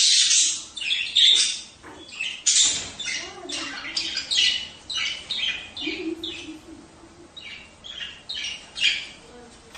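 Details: Budgerigar calls meant to encourage mating: a busy run of rasping squawks and brief chirps, irregular, several per second early then spaced out, with occasional soft low murmurs beneath.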